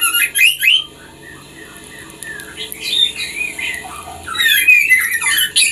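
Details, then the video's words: Song of a female white-rumped shama urging a male toward breeding condition, two loud bursts of tangled high whistles separated by softer, scattered notes. "Murai Betina Memancing Birahi Murai Jantan"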